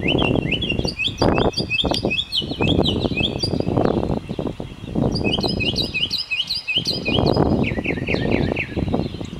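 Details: A male mockingbird sings a rapid, varied run of bright chirps and whistled notes, repeating short phrases several times over a steady low rumble of wind or traffic.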